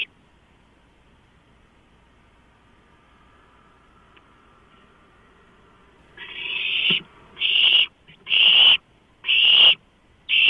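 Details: Owlets begging as a large rodent is delivered, 23 March 2015, shortly after midnight on a live nest camera; after six quiet seconds, harsh hissing screeches of about half a second start and repeat roughly every second.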